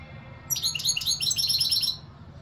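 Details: One continuous goldfinch phrase of quick, high, tinkling chirps and trills lasting about one and a half seconds, set against a soft low rumble.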